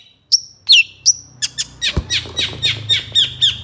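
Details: Long-tailed shrike (cendet) singing for songbird training: several piercing whistles with a downslurred note, then quickening, rapid repeated chattering notes.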